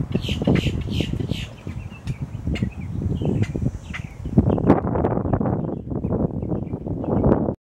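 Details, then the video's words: Boat-tailed grackle calling on October 10, 2022: harsh, rapid clacking calls over the first half, above a heavy low rumble of wind or traffic that dominates throughout. "Boat tailed grackle oct 10 22 calling"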